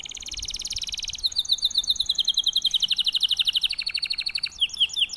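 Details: Silver canary (Serinus canaria) in breeding condition singing fast, high trilled tours: a rapid buzzy roll, then quick repeated chirps and descending whistled notes.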